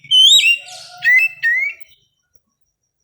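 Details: Oriental magpie-robin singing at dawn, kept so it does not become over-aroused: a loud rising whistled note, then a buzzy burst and two bright slurred whistles, followed by silence and a final short chip.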